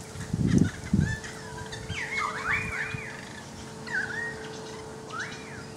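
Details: Currawong singing near a balcony: after two low thumps, a cluster of overlapping whistled swoops, then isolated arched glides; a constant mechanical hum underneath.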